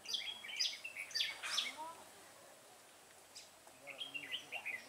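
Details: Red-whiskered bulbul used as a decoy in a trap set to lure wild bulbuls, recorded 21 September 2018: bursts of bright, quick whistled notes rising and falling, in two clusters with a quiet gap between, over faint background noise.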